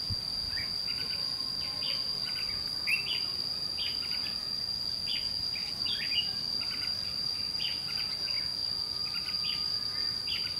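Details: White-cheeked red-whiskered bulbul answering a lure bird during trapping. A dense run of short, bright, warbling notes repeats every second or so, with a continuous piercing insect tone behind it.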